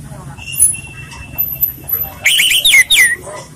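Orange-headed thrush giving a quick burst of rich, varied whistled phrases after a few faint high notes. Soft background noise throughout.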